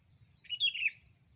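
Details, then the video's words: Sooty-headed bulbul female calling a male, a lure recording: a single quick, slurred phrase of twittering notes that rise and then drop in pitch, against a constant high hum and faint low rumbling. "Suara Asli Pikat Kutilang Betina Memanggil Kutilang Jantan"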